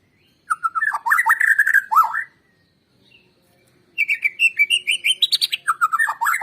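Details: White-rumped shama song used as a lure to stimulate other birds to sing: rich, fast phrases of varied whistles and chattering notes, a pause near three seconds, then higher rising whistled notes resuming.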